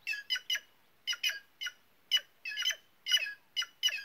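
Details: White-naped jay producing a busy series of about fourteen coarse, buzzy squawks, often doubled or tripled, with short gaps between bursts in otherwise quiet surroundings.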